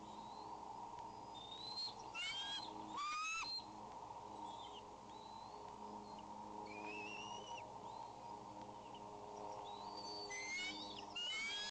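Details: An eaglet on a nest at Fort St Vrain wheezes on May 17 as an intruder comes near, on a nest camera. High, thin whistles rise and fall in quick stacked bursts, grouped in a few scattered runs, over a constant mechanical hum.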